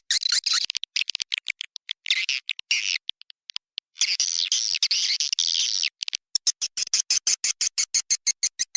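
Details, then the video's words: Swiftlet lure call of the inap raja liur style for swiftlet farmers: raspy chattering bursts, then a long buzzy twitter, ending in evenly spaced sharp clicks about three per second. "SUARA PANGGIL WALET 2021 TERBARU | INAP RAJA LIUR FULL VERSI"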